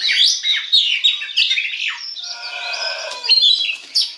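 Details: Oriental magpie-robin singing as a lure to get other magpie-robins singing. Quick chirps and sweeping whistles run into a longer, buzzy, harmonic phrase, then end in sharp high notes.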